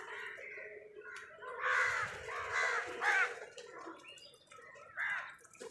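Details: Crows fighting over food give harsh, hoarse caws clustered in the middle seconds. The calls rise and fall in short bursts over faint background noise.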